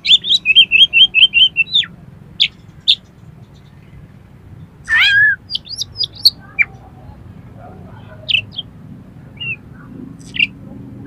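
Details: Kacer, the Oriental magpie-robin, in song meant to trigger a rival to sing and fan its tail: opens with a rapid string of about eight matching whistled notes, then one long slurred note and sparse scattered chirps.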